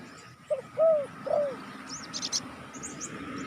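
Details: Spotted dove calling to lure wild doves: three soft, arched coos, the middle one loudest, then a few thin high chirps from another bird over steady background hiss.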